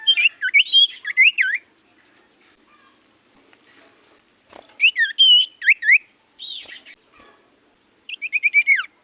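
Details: Common Iora (sirtu cipoh) in active song meant to prompt silent birds to reply: groups of rapid looping whistled notes rising and falling, delivered in separate bursts with pauses between, the last burst a fast descending series.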